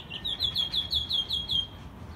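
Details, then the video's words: Caged American robin kept since it was a chick, recorded in Mexico City in March 2020, its second singing season. A quick series of about eight high, slurred notes repeated evenly over two seconds. "Mirlo Primavera, el pájaro melómano cantando en CDMX"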